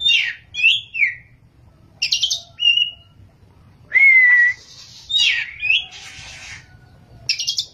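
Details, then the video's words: Oriental magpie-robin (kacer) singing in the ngerol and nembak style: separated phrases of sweeping whistles and buzzy bursts, including one loud level whistle, with short pauses between them. "kacer gacor ngerol,nembak"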